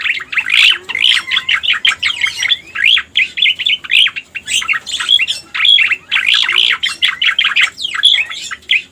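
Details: Striated grassbird lure recording: an energetic, continuous chatter of crisp chirps and short whistles in rapid bursts, each lasting about a second.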